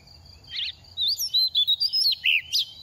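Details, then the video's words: Second-year oriental magpie-robin in its moult, dropping feathers, singing readily: a rough burst, then a run of bright whistled and warbled notes, mostly high, rising and falling, over a faint steady high whine. "Kích chim hót mùa thay lông | Choè than bánh tẻ lên 2 vụ mau mồm đang rớt lông p3 Kích Choè Than Hót"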